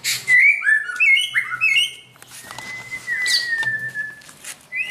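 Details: White-rumped shama being trained to sing like a champion, a string of quick stepped whistled notes, then a long sustained level whistle, with clicks between phrases.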